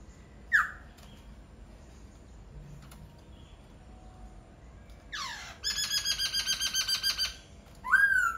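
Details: After a brief sharp note and a long pause, a laughingthrush gives a harsh falling sweep, a fast buzzy rattle of about a dozen pulses, then a final whistled phrase.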